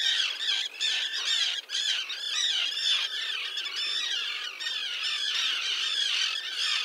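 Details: Common tern breeding colony with young at Liepāja, Latvia, in June 2024, set on concrete by a mole 1.5 km offshore. Many rasping, sharp calls overlap in a continuous, noisy chorus with no pauses.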